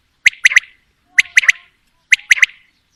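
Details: Quail calling, female and male: three crisp triplets of sharp, liquid notes, each phrase quick and evenly spaced about a second apart, in clean, quiet surroundings.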